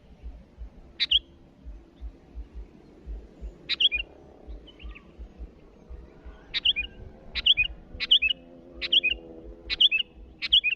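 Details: Sooty-headed bulbul calling to rivals: about nine short, bright three-note phrases, a sharp start dropping into two bubbly notes, irregularly spaced over eleven seconds, with a faint low rumble beneath.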